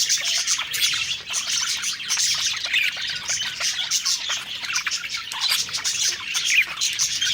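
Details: Budgerigars singing happily while eating, a dense continuous mix of high chirps, twitters and warbles from several birds, with no pauses.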